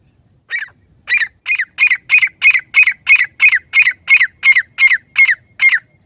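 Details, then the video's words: A wild grey francolin (teetar) gives a steady series of about thirteen harsh, squawking notes, roughly three per second, loud and high-pitched against a quiet background. "teetar grey francolin voice"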